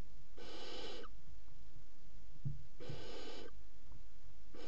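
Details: Three young barn owls at 01:30 on 30 June 2016, eating a mouse at the same time. Rasping, breathy hisses about 0.7 seconds long, spaced roughly two and a half seconds apart, over a low steady hum.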